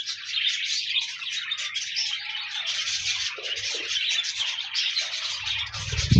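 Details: A group of pet budgies keeps up a continuous, fizzy warble of chirps and squeaks, aimed at inspiring a lone budgie to sing, ending with a low rumbling bump.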